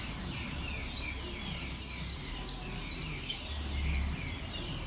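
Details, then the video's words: At a competition show, a saffron finch delivers bright, sharply descending chirps in quick succession, swelling into several strong pulses midway, over a low drone. "canario da terra Top Show"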